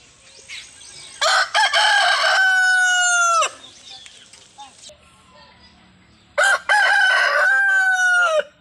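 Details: A chicken (rooster) gives two loud crows, each a harsh stuttering start drawn out into a long sustained note, a few seconds apart.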